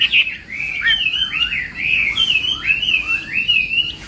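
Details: Chinese hwamei in morning song training for competition: smooth, looping whistled phrases that swoop down and back up, linked into a continuous melodious run.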